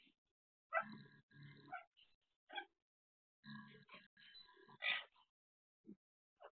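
Black francolin giving two harsh, grating phrases of clipped rasping notes about three seconds apart, followed by a few scattered softer notes.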